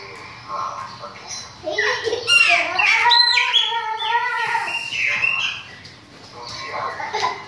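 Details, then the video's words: Chopi blackbird song with rich, harmonic, bubbling notes and slurred whistles in the middle section. The phrases rise and fall, with a louder cluster of gurgling tones, and a faint human voice may be mixed in. "CANTO DE PÁSSARO PRETO"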